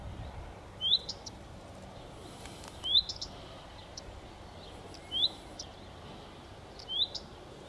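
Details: Repeated calls of a common redstart: an upslurred whistle then clipped tick notes, given about every two seconds against faint constant background noise outdoors.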